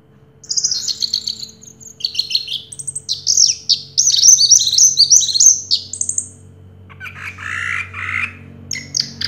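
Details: Orange-headed thrush that won first place in 2022 sings a long, varied, high-pitched run of quick chirps and slurred whistles, phrases tumbling together before a lower, rougher passage near the end; faint hum underneath.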